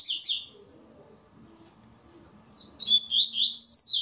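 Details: Double-collared seedeater (coleiro) competing in an online singing tournament in Brazil, a brief high twittering note fragment at the start, then a long run of fast, sliding high whistles and trills after a quiet pause, over faint room hum.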